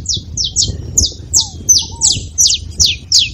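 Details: Saffron finch singing well, meant to rouse a silent canary: crisp downslurred high chips about three per second, each bright and clipped, with a couple of low curved whistles and low background noise.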